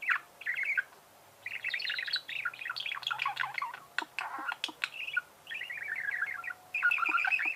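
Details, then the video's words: Continuous budgerigar song: dense, scratchy, twittering warble of rapid chirps and buzzes running for several seconds, broken by brief pauses and sharp clicks. "пение волнистых попугаев"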